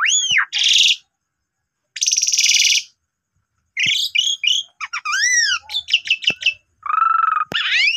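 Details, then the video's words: Asian pied starling singing actively in a lure recording meant to prompt less vocal starlings to sing: harsh buzzy bursts alternate with arched whistled notes and rapid rising-falling slurs, separated by short pauses. "Pancingan Jalak Suren Gacor"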